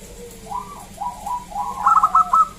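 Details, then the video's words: Local zebra dove in loud song: smooth slurred coos build into a short cluster of crisp stuttering notes at the close. "Perkutut lokal Gacor SUARA ASLI KRISTAL MERDU Ampuh Mengundang Bunyi Semua Perkutut Lokal"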